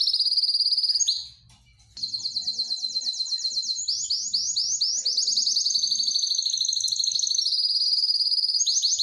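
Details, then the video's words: An excited canary seeking a mate pours out a long song: rapid high rolling notes, a short break, then a chain of fast trills with shifting pitch and speed. "تغريد كناري هائج"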